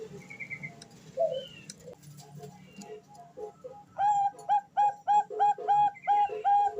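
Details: Female Bangkok-type zebra dove calls to a male, as a lure for birds learning to sing. After quiet mixed sounds, fast rhythmic cooing notes repeat evenly, roughly three per second, until the end.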